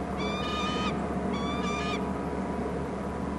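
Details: On Hornby Island, a bald eagle calls loudly away from its nest near the waterside: two quick bursts of high, clear, chattering whistles, then only the constant low background hum.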